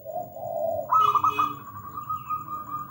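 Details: Local zebra dove singing: a low soft coo that rises into a long sustained trilled note near the end, over a quiet hum.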